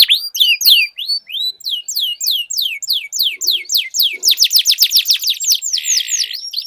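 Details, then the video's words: Canary duel with long rolling song: a run of sharply falling whistled notes speeding into a fast roll, ending in a flat buzzy trill. "Duel Burung Kenari Suara Merdu Ngerol Panjang"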